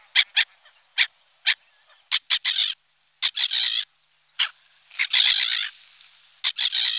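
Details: Black-headed gull giving short sharp clipped notes and a few longer, rasping, harmonically rich squawks in irregular bursts, with brief silences between them.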